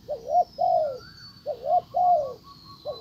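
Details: Spotted dove at a trapping site where a decoy drew in a wild bird that then ignored it: soft, low, hollow two-part coos repeated about every one and a half seconds, with a faint high whine behind.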